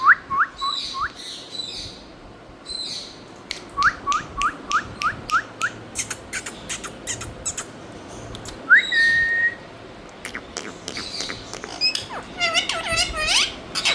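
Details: Parrot, or mithu, calling in a mix of short rising whistled notes in quick runs, one longer level whistle, and a burst of harsh chattering squawks near the end.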